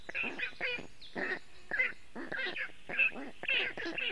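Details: Black stork nestlings on a Latvian webcam nest, first time left alone, calling for cooling on a hot June 2018 day: rough, nasal, repeated calls nearly twice a second, with faint songbird twitters above.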